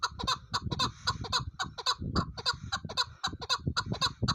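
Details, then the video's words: Chukar partridge calling in a fast, uneven stream of sharp, clipped chuck notes, about four per second, bright and ringing, with low thumping background noise underneath. "Chakoor keklik Kobuk Voice"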